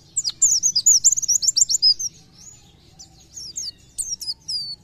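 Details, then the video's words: Oriental white-eye giving the 'gacor nembak' song: a loud, dense burst of shrill chattering notes for two seconds, a near-silent pause, then scattered sharp whistles and a final down-slurred note. "PLECI GACOR NEMBAK"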